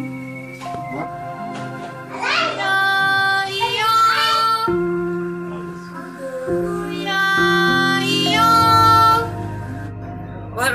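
A high, childlike voice sings a melody over music, with no clear animal call.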